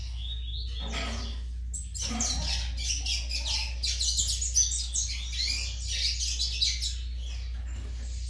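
A young Double-collared Seedeater sings a rapid, scratchy stream of high twittering and buzzy notes, over a steady low indoor hum.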